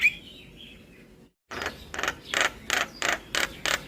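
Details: After a faint whistle and a pause, a Javan myna repeats loud, grating rasps roughly three times a second, a song meant to prompt silent mynas to start singing.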